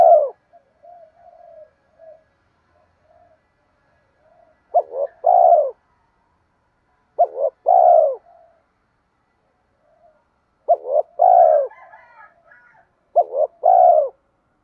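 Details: Spotted dove with a bronze-toned voice ('giọng đồng') in the 'thúc gù kèm mắt me' cooing style, used to lure wild spotted doves. Low, mellow two-part coos: a short wavering note, then a longer steady coo. Several bursts come with soft faint notes between them.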